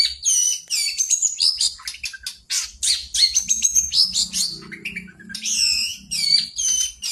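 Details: Lively song of a long-tailed shrike, played as a lure to make birds sing: rapid high whistled and buzzy phrases tumbling one after another, a short pause near the middle, then renewed chattering, with a soft low hum briefly behind.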